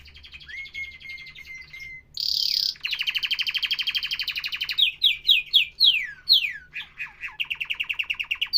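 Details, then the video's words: Professional canary song: a long, steady, slightly rising whistle, then a fast rattling trill, a run of loud downward-sweeping chirps repeated about twice a second, and a closing quick trill. The recording is clean. "تغريد كناري احترافي"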